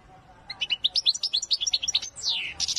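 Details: European goldfinch, Wedani-style song: a dense, fast twittering phrase of bright high notes at several pitches, followed by a long, smoothly falling whistled slur and more twitter.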